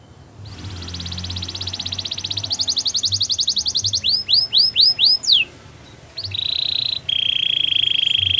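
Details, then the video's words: Gloster canary song opening with a fast, even rolling trill that speeds up, then five loud downward-sliding whistles, a short pause, and two steady sustained buzzy tones. "Gloster canary singing"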